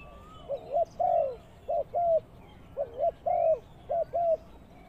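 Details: Spotted dove kept as a ground lure bird for trapping, giving low, mellow cooing phrases of four to five hooting notes, the phrase repeated twice with a short pause between, over faint background hiss.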